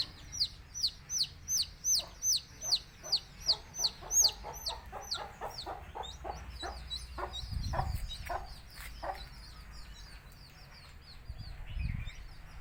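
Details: Country chicken chicks in Tamil Nadu chirping while playing, with a mother hen calling her chicks to eat; rapid high downslurred peeps repeated about three per second, loud at first, then thinning out among softer scattered chirps and low thumps.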